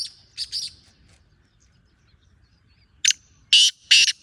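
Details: Black francolin giving a grating, rhythmic call: a softer triple of harsh notes, quiet pause, then a loud sharp note and two long rasping syllables.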